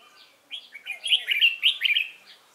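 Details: Wild-caught caged Red-whiskered bulbul recorded 22 October 2018 on a sunny, cold day, singing a competition-style song: a rapid run of bright, warbling whistled notes building into a loud rolling phrase, then a short trailing note.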